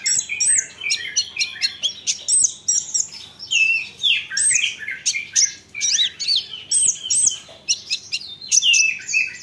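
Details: Energetic olive-backed sunbird song meant to make other sunbirds call back: continuous high looping twitters and sharp chips in quick bursts, almost without pause.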